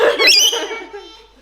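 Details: A rescued lorikeet in Australia gives one harsh, rasping screech lasting about half a second, shrill and buzzy, fading in a small room's echo; the normal everyday lorikeet call, not a sign of upset.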